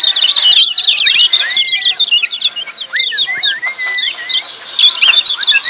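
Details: Noisy 'ciak' chatter of lemon-bellied white-eyes for training silent birds to sing: rapid high twittering in bursts, broken by short upward-slurred notes and a few level whistles, with dips in between.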